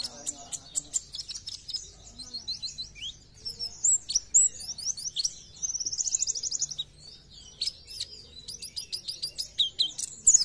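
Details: Gacor Oriental white-eye song in nembak style: ten seconds of mixed high chirps, slurs and a fast buzzy trill near six seconds, with faint lower chatter and room noise.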